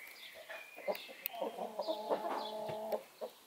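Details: A broody Brahma hen off her nest for her once-daily outing to feed, drink, empty her bowels and preen gives a few short clucks. Then comes a drawn-out, nasal, droning cluck of over a second, and one more soft cluck.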